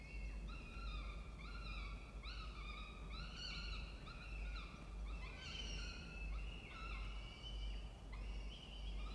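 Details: Peregrine falcons at a nest box inside a water tower at a university in Orange, New South Wales, Australia, in spring with a nesting family: harsh, harmonic, slurred calls repeated rapidly in long runs, some rising and some falling, over a steady low hum.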